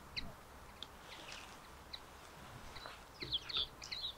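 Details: Common linnet (Linaria cannabina) singing on 13 April 2021 at Lentevreugd, Netherlands: scattered thin chirps build into a quick, bright twittering burst near the end, over faint outdoor background noise.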